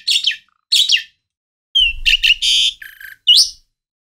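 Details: Asian pied starling (jalak suren), a kept house bird said to call very loudly and variably as a warning when people approach: harsh buzzy bursts, a clear rising whistle, rapid scratchy chatter and a short nasal note, with a brief low rumble behind.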